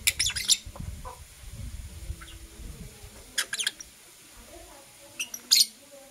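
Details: Blue Opaline and Parblue Euwing Opaline lovebirds in the morning, giving quick high squeaky chirp bursts at the start, middle and end, with a low rumbling background noise beneath.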